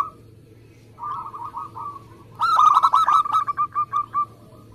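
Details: Local zebra dove song meant to draw other doves into singing: a soft trilled phrase, then a louder rapid series of pulsed coos that slows toward the end, with a faint low hum.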